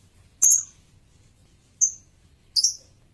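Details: A male lovebird gives three short, piercing high chirps at uneven intervals, the last one doubled. A faint low hum sits in the background.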